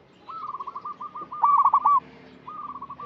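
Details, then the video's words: Local zebra dove giving a lure call meant for untrained birds: a soft, rapid staccato series of short cooing notes, then a louder burst of quick trilled coos, followed by another soft rapid series. "Perkutut lokal gacor suara cocok untuk pancingan yang masih bahan"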